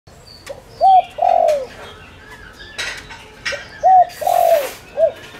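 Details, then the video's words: Spotted dove lure bird calling to draw in wild doves: two low cooing phrases, each a short note, a soft rising-falling coo, a long purring coo sliding down, then a short note, with bursts of noise and faint chirps behind. "Tiếng cu gáy mồi đất gáy gọi kích bổi cực nhạy"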